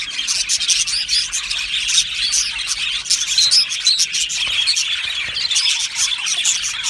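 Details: Happy budgerigars chattering in an aviary: a dense, lively mix of high chirps, squeaks and short whistles, rising and falling slightly in loudness with many callers overlapping.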